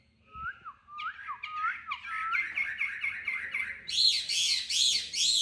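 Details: Tame caged Chinese hwamei, Hanoi, Vietnam, in competitive singing: a run of low slurred whistles, then a rapid repeated phrase turning into loud, harsh rasping notes.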